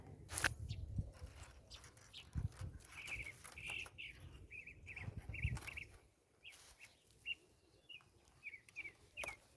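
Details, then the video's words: Northern Mockingbird (cenzontle) singing nearby while a person works on a fence at a rural property: short chirpy phrases, each repeated several times in quick runs, fairly faint, over clinking and handling noises and some rustling. "Ahí anda un censontle cantando, no sé si lo escuchan."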